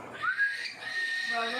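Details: A single cockatiel at feeding time gives a brief rising whistle that levels into a steady, thin tone, followed by a softer warbling note.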